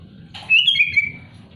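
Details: Sooty-headed bulbul song meant to challenge rival birds: a single loud slurred whistle phrase stepping downward, heard over a constant low humming background.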